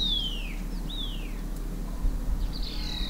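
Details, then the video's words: Green-backed tit out foraging for insects among shrubs and on the ground, uttering three separate high whistled notes, each falling in pitch, spaced about a second apart, against a faint background hum. "Green-backed Tit chirpily frightens insects from their shrub haunts, eats on the ground"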